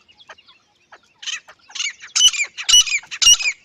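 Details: Dakhni teetar, a partridge, giving soft scattered notes that build into loud, harsh, ringing grating calls in quick bursts.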